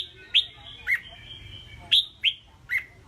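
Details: Pet red-whiskered bulbul in a cage, praised as a competition-ready fighter: five crisp, downward-flicking high notes spaced irregularly, one longer faint tone between them, over low steady hum.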